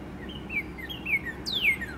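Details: Male northern cardinal singing in late morning with spring approaching; two gently falling whistled notes followed by a bright steep down-slurred whistle ending in a lower trailing glide, over quiet steady background noise.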